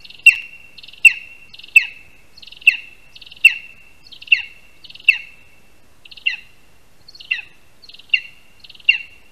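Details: At its nest in a Latvian spruce, a Lesser spotted eagle delivers its first prey, a rat, with a handover on the tree, 22 August 2021, early afternoon; sharp, loud yelps repeat steadily roughly every 0.7 seconds, each followed by softer chatter.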